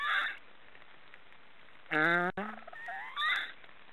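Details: Black storks snoring: a breathy rasp, a pause, then a strong nasal harmonic honk that breaks off abruptly. It is followed by a softer wavering whine and another hoarse burst.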